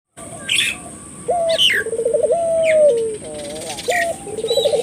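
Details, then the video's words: Lively turtle dove calling, used as a lure to stimulate local doves to call: low, smooth coos rising into a fast rolling trill, then a long even note, repeated, with higher chirps from other small birds. "suara burung puter gacor,merangsang buru puter lokal ikut gacor"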